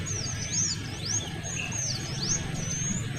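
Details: Small minivet, male and female calls combined, used as a model song for training oriental magpie-robins: thin, very high whistled notes sweeping down and up, repeated rapidly in a noisy series over a low background hum.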